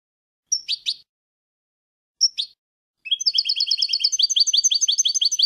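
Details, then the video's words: European goldfinch song from a recording for teaching young goldfinches to sing: two sharp double chirps with pauses, followed by a sustained rapid series of bright, high twittering notes. "chants des chardonnerets du monde (9) goldfinch songs"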